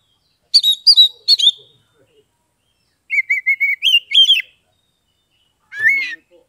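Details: Caged Oriental magpie-robin from Kebumen, Central Java, singing to prompt reluctant birds: high whistled notes, then a steady lower whistle rising into quick slurred phrases, ending with a single drawn-out note.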